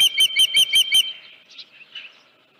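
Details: Osprey calling at the nest at Dunrovin Ranch, 31 July 2018, around 9:43 AM, headless fish present: six loud piercing whistled chirps in quick succession, trailing off into softer, scattered squeaky notes.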